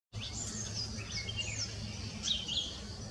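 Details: A courting Spot-breasted Fantail gives thin, high, squeaky whistled notes in quick irregular phrases over a steady low rumbling hum.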